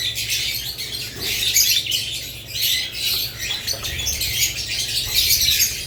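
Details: Budgerigar chirping, lovebirds also named: a busy, unbroken wash of high twittering and scratchy squawks coming in overlapping waves, with a steady low hum in the background.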